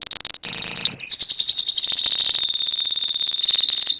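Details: In a lovebird colony, rapid, high, squeaky chatter runs together into a continuous ngekek trill, with pulses beating several times a second.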